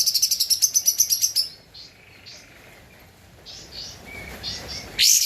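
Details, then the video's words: Javan white-eye in full song for a master recording used to train cage birds: a fast, high, pulsing trill lasting over a second, followed by soft scattered chirps and a loud final burst. "Kapas Tembak Gacor untuk Masteran (suara asli)"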